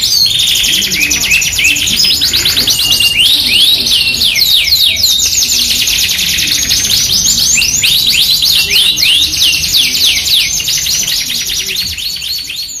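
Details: Long, unbroken Yorkshire canary song used as a masteran lure. Dense high trills and swift slurred chirps roll on and on, shifting between rapid rattles and swooping whistled phrases.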